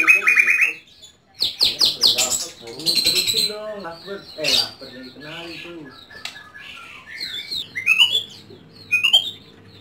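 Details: Varied, mimicking song from a house-kept white-rumped shama: harsh rapid stuttered notes, buzzy chatter and squeaky fragments, ending in sharp rising whistles.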